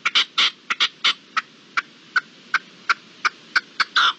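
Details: Partridge at dusk on 7 April 2022 calling with a burst of longer rasping notes, then evenly spaced sharp chucks roughly every third of a second, ending in another drawn-out grating note.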